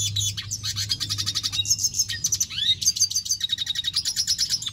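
A red siskin sings a fast, continuous twittering song of high buzzy trills and chirps, with a steady low hum underneath.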